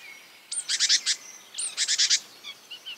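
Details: Marsh warbler mimicking other birds: two matching bursts of a sharp high note followed by a rapid rattle of harsh chirps, then soft fainter whistles at the end.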